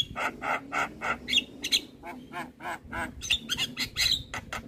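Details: Javan myna in active song, used as a tutor recording for young mynas: harsh, nasal chattering notes about three times a second, mixed with a few sharp high whistles; steady and busy throughout.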